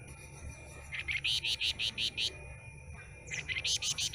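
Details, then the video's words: Short-tailed flamboyan, newly acquired from a trader's mixed batch, delivers a quick even run of bright chipping notes, pauses, then starts another run; a faint steady high-pitched drone persists throughout. "Suara Asli Kicau Flamboyan Ekor Buntung"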